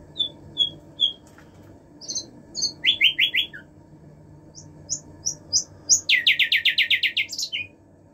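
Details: Common nightingale song: three soft repeated whistles, a few louder slurred notes, then a burst of three harsh notes, scattered high chips and a fast, loud rattling trill of about a dozen pulses, over a low background hum.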